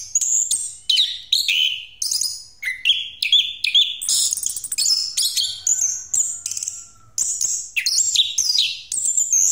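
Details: Continuous 'ngeroll' song of an orange-headed thrush kept as a lure for other birds, pouring out sharp high whistles, slurred notes and fast chattering runs in an unbroken varied stream, with one thin faint steady tone underneath.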